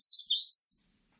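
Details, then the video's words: Eastern crowned warbler, 2020: a phrase caught from its start, with a high slurred note sliding into a sustained buzzy note that fades out, nothing else audible. "산솔새, 여러번 듣기"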